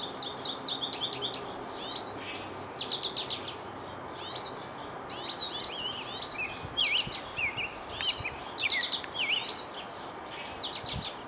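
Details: An American goldfinch in spring, having flown from a bird feeder to a birch tree, sings a long, rambling run of bright, high twitters, rising slurs and quick chattering bursts, over a steady background hiss.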